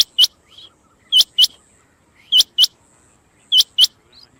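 Rain quail giving sharp, metallic double notes, 'which-which', repeated about every 1.2 seconds, with softer quiet notes between the pairs.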